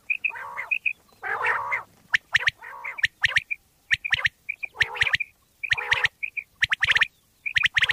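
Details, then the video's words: Pakistani quail lure recording. Long hoarse, buzzy squawks open the clip, then short high double whistles alternate with sharp clicks at roughly one phrase a second. "Bater wali Awaz mp3 / sounds of Quail mp3 / Pakistani Bater wali Awaz mp3"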